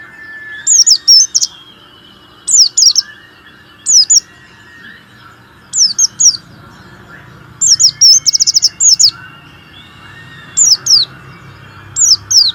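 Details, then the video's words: Caged warbling white-eye singing to spur lazy white-eyes into song: clusters of two to five high, thin, quickly downslurred notes repeated every second or two, plus a soft background whistle. "terapi pleci malas bunyi,pancingan pleci kurang emosi"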